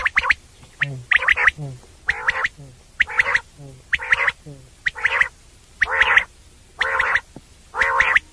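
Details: Common quail calling at night, a sound for quail hunting: hoarse, buzzy bursts roughly every second, each led by sharp clicks, with faint low, rippling notes between the early bursts.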